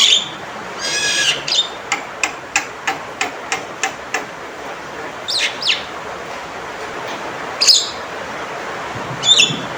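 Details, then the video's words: Male Javan myna: opening harsh squawks, then a steady series of about ten short clicking notes roughly every third of a second, followed by sparse sharp whistled calls. "Panggilan Suara Burung Jalak Kebo Jantan Gacor & Lantang"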